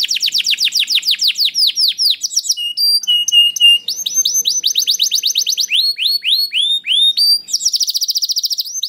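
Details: Varied canary song meant to draw other canaries into song: quick arching whistles, clear flat held notes, chattering phrases and a closing fast rattling trill, continuous and loud throughout.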